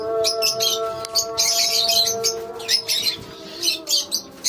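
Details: Shrill chirps and squeaky twitters from a lovebird colony come in short irregular bursts, with a soft steady hum in the background.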